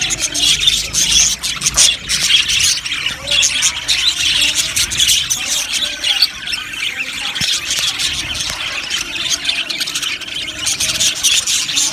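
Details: Many budgies chirping together in an aviary colony, producing a steady wash of high twittering, squeaky notes and scratchy warbles with no clear gaps.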